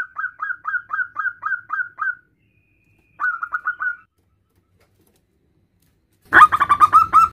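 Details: Local male zebra dove calling its mate: steady string of soft, short cooing whistles, a pause, a shorter run, then a loud dense burst of rapid whistled notes at the end.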